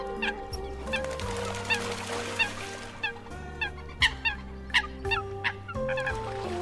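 Eurasian coot giving sharp, abrupt honking notes at an uneven pace, about one every second, over a steady humming music-like background.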